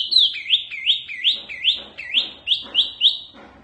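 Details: Oriental white-eye singing a series of about nine clear whistled notes, each dipping then rising, repeated roughly every third of a second.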